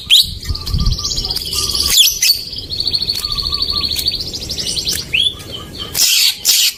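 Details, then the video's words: Greater green leafbird song used as a lure for silent birds: long fast trills held at a steady high pitch, with short lower notes beneath and noisy bursts at the end. "Pancingan burung cucak ijo macet"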